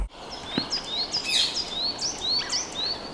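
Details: A goldcrest in a local park on 22 March 2025, high in trees, gives very high, thin, sibilant call notes, about three each second, some rising and some falling, over a soft background hiss.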